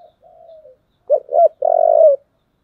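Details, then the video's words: Fighting call of a spotted dove in the earthy thổ voice: a soft, faint wavering coo first, then a louder phrase of two short coos and one long sustained, slightly buzzy coo. "cu gáy giọng thổ, thúc đấu"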